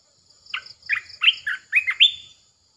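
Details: Red-eyed bulbul held in a cage for decoy calling produces a brisk string of about six rich, upward-sliding warbled notes, with faint high insect chirps behind.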